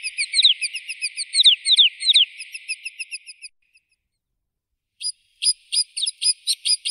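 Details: White-winged snowfinch calling in a quick stream of high, downslurred chirps that fade out, then after a pause a choppy run of brisk, clipped notes.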